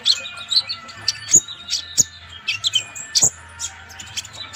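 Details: Konin, or Van Hasselt's sunbird (Leptocoma sperata), in full song as training material for other birds: sharp, high-pitched chips and brief tinkling notes in irregular clusters, with a low electrical hum behind.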